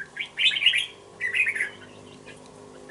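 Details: Two-month-old red-whiskered bulbul in a cage gives two quick, scratchy, tumbling warbles of high chirps, then falls silent.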